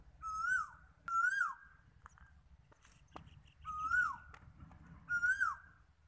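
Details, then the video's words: Asian koel in Galsi gives four clear, whistled notes that swell upward and then slur down, spaced about a second apart, with a few faint clicks between them. "কোকিলের ডাক"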